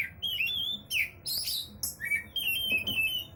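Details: Oriental magpie-robin singing nonstop, a string of clear whistled notes, some sliding up and others falling, broken by short sharp chirps and brief pauses.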